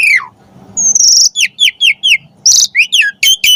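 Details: Jalak suren (Asian pied starling) song for tutoring pet starlings: a falling whistle, a long high thin note, then brisk repeated downslurred whistles mixed with harsh noisy bursts.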